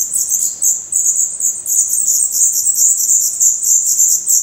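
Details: Nestling black redstarts in their nest in Portugal, eyes now open and adult feathers growing, keep up a loud, continuous chorus of high, sibilant squeaks in rapid overlapping pulses.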